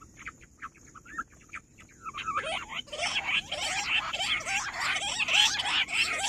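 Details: Rock bush quail calling on 18 July. It opens with sparse, clipped notes repeated about once a second. After two seconds a loud crowd of overlapping squeaky, chattering calls bursts in and keeps building.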